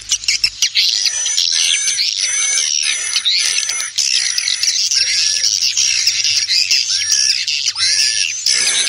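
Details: Swiftlet summoning call with wing flapping, used to attract swiftlets: steady, dense high twittering with squeaky rising notes and a thin constant high tone.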